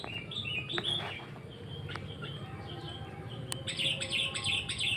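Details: Sooty-headed bulbul chirping in short, bright repeated notes, growing into a faster burst of high twittering near the end, over a steady low hum.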